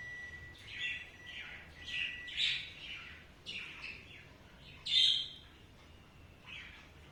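Alexandrine parakeet giving harsh, scratchy chirps and squawks in a few irregular bursts over several seconds, with a faint steady whistle early on.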